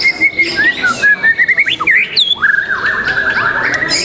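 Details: White-rumped shama singing at a competition, The Legend Murai Batu Nusantara, 12 December 2021: clear whistled phrases with sliding upward and downward notes, short bright flourishes, and a longer rising whistle near the end. Other competing birds sing faintly behind.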